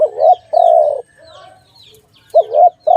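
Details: Low, soft dove coos in a trapping setting, a short bent note and a drawn-out steady coo, then a pause and the phrase starting again; faint high chirps from other birds sound between.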